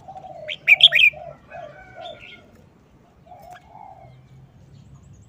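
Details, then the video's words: One quick phrase of bright whistled, warbling notes from a caged red-whiskered bulbul in its short wild-song style, followed by faint notes and a run of soft low cooing. "นกกรงหัวจุก 238"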